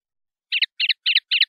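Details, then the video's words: Common linnet, clean song (pardillo limpio) from a 2019/2020 CD: four paired chirping double notes in quick succession after a brief pause, clean and free of background noise. "CD PARDILLO LIMPIO 2019/2020"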